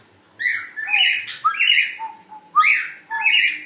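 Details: Indoors, a cockatiel sings to its mate with warbling whistles that rise and bend, mixed with short lower notes and chattering, given in quick bursts.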